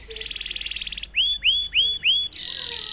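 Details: Canary that sings after one prompt: a high buzzy trill opens, then four loud clear upward-curving whistled notes at even spacing, ending in another steady buzzy trill.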